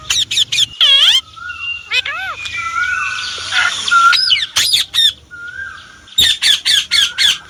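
A rose-ringed parakeet gives harsh, rapid screeches, then a run of wavering, voice-like chatter and drawn-out whistles, ending in another burst of shrill squawks.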